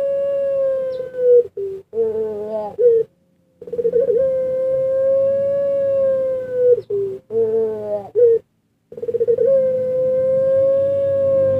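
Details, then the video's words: Spotted dove bred by Indonesian hobbyists for melodious cooing: long, level, low sustained notes alternating with short wavering phrases, repeated several times with brief silences between. "Nglaras Manggungnya Suara Burung Puter"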